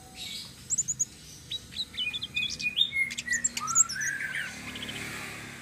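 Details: Flowerpecker, local type tledekan sitrun selendang biru, singing in continuous rolling style (ngeroll) used as bait for other birds: thin high chirps and quick twittering runs, louder toward the middle, with a faint steady lower whistle.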